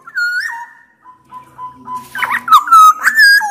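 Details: A black-naped oriole, the kepodang, in loud song to prompt lazy orioles: a swooping whistle and a soft level tone are followed by an energetic burst of liquid rolling whistles.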